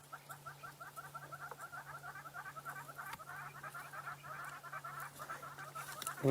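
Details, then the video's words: Unseen hornbills calling from a tree off to the right at sunset give a fast, steady series of clucking notes, several a second, running on without pause over a low engine hum. "I'm not sure if you can hear, there's some hornbills calling in the tree off to our right."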